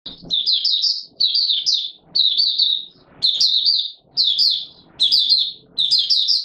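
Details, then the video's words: White-eye singing in warm humid weather on 20 March 2022, a buka sing session: bright high warbled phrases of quick chirps, each under a second, repeated about once a second with short silent gaps between them. "Mata Puteh Raja Video 1 buka sing"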